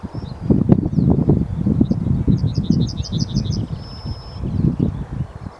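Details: Yellowhammer song: a quick run of about nine bright, high, clipped notes ending in one long drawn-out higher note, over heavy low rumbling and buffeting noise.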